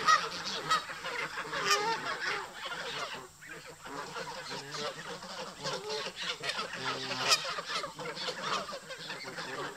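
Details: Resident geese at a park amid a fight with migrating visitors; softer, more distant honks mixed through a busy flock chorus, with a brief lull near three seconds.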